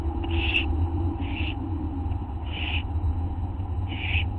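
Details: Night recording from August 24, 2011, 11:04 PM, of owls in a group: four soft, airy hiss bursts at irregular spacing, partly muffled by a dominant low hum.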